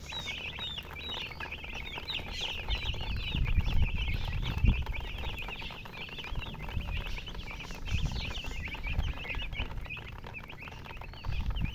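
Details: Chicks chirping in a group, dense rapid high peeps tumbling over one another almost nonstop, with dull low thumps and rumbling bumps in the background around the middle.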